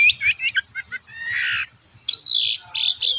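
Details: Long-tailed shrike singing in full voice, recorded as a lure to provoke other shrikes to sing: quick harsh chattering notes followed by a drawn-out buzzy phrase, then loud rasping bursts near the end.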